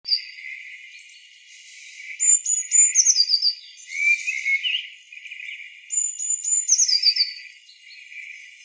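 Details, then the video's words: Blackbird singing in two phrases, each a soft warble followed by high, thin twittering notes and descending squeaky trills, with a brief quiet gap between the phrases. "Blackbird song"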